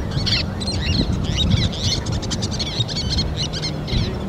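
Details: Least terns at a nest with chicks, on a sand bar or island of the Missouri or Mississippi River, adults feeding fish to the young; dense high chattering and squeaky notes repeat rapidly over steady low wind rumble.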